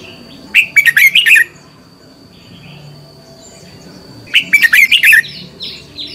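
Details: Fighting song from a decoy red-whiskered bulbul used to train and stimulate other bulbuls: two bursts of quick, bubbling, warbled notes about three seconds apart, with faint softer chirps after the second.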